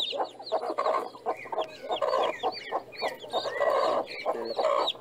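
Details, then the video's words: Farm chicken clucking in rapid, uneven runs of low pulsed notes, with many thin, high, arched peeps from chicks scattered over the top throughout. "som da galinha"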